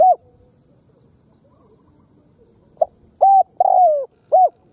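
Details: Spotted dove from Cambodia cooing: one low coo opens, then after a pause a short series of rounded coos, the longest sliding gently downward, each note clean against a quiet background.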